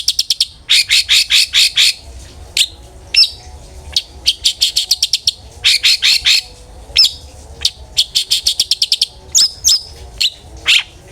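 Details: Long-tailed shrike singing 'ngeplong' style to lure other shrikes into song: quick rattling bursts of repeated harsh notes, several per second, alternating with pauses, single chips and short whistled slurs.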